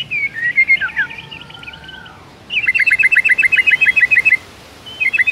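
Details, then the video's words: Morning song of a white-rumped shama: a tangled warble over a soft low whistle, then a steady series of about fifteen quick, even chipping notes. "PAGI HARI, GAK PAKEK LAMA ! MURAI BATU GACOR ISIAN MEWAH INI AMPUH Bikin GACOR"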